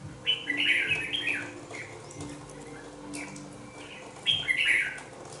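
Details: Young red-whiskered bulbul, two months old and kept in a cage, gives two short bright warbled phrases of quick chirpy notes, one at the start and one near the end, with a quiet pause and a low hum between them.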